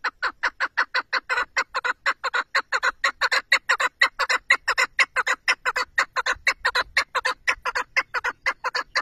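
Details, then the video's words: Rapid, even run of loud, rasping chuck notes from a chukar partridge, repeated about twice per second without a break across the whole stretch, in quiet surroundings. "keklik sesi,av kekliği,chakour birds sound"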